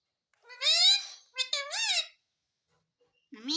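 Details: Talking parrot begging for roti with a pair of clear mimicked word phrases, the first drawn out and the second choppy then smooth, followed by silence and the start of another syllable.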